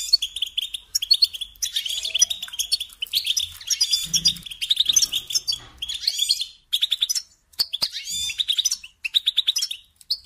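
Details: European goldfinch song meant to teach young birds: long phrases of quick, chattering twitters and liquid buzzy trills, broken near the end into shorter separate bursts with small pauses, and occasional faint low bumps.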